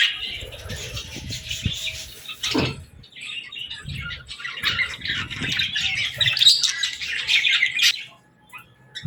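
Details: Young budgies chattering while playing, a softer run of high twittering chirps with a few low thumps and handling noises.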